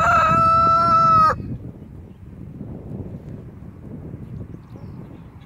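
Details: Brahma chicken, İsabel colour, crowing in a loud, sustained, harmonic note for a little over a second, ending abruptly, followed by several seconds of low background rumble.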